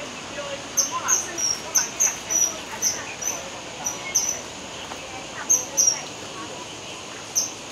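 A kingfisher gives thin, shrill, very high piping notes, about three a second in uneven bursts, over a soft steady background hiss.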